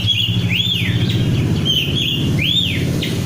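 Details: Kacer, or oriental magpie-robin, from Indonesian bird-song hobby circles, giving three clear arched whistles, each rising then falling, repeated about every second over a strong low droning hum.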